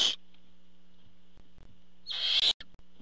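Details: Harsh hissing screech from a barn owl at the nest during a food delivery by the male parent, following a brief cut-off hiss at the start, with faint clicks and a low hum.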